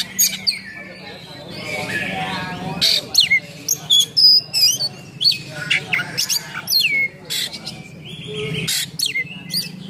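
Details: Oriental magpie-robin delivering 'nembak' song with rough 'isian kasar' fill-ins to stir up and train other magpie-robins; short loud whistles and chattering bursts repeat roughly every second, with a low hum underneath.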